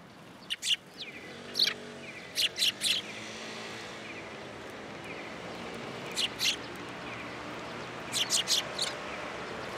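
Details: Sparrows coming for food at a pillar, Tenmangu shrine, 7 January 2023. Short, high chirps arrive in small groups of two to four over a low, droning hum.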